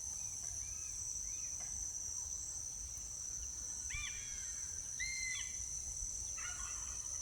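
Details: A crested (changeable) hawk-eagle in palm forest gives a hunting call of a few short, clear whistled notes, some slurring upward, about a second apart, over a steady high insect drone; possibly communicating with another hawk-eagle that answers.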